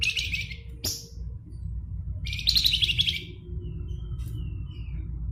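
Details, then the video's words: Javan fulvetta, an endemic bird of Java, giving 'nyuling' fluting song: scratchy chirps, then a quick falling series of thin whistled notes and soft fading twitters, against a continuous low hum. "Flamboyan Gacor Nyuling"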